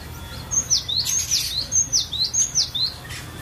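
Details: Training song of a cinereous tit: bright, high-pitched swooping notes delivered in a quick, uneven chain of roughly eight phrases, each a falling then rising whistle.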